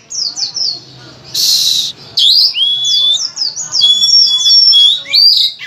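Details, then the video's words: Oriental magpie-robin (kacer) singing energetically and loudly, full of filler phrases, a tutor recording to prompt other magpie-robins to sing: rapid falling high whistles, a harsh noisy burst, then rising upslurs and buzzy notes. "Masteran Suara Kacer Gacor Volume Ngotot Full Isian, cocok untuk pancingan Kacer Rajin Bunyi"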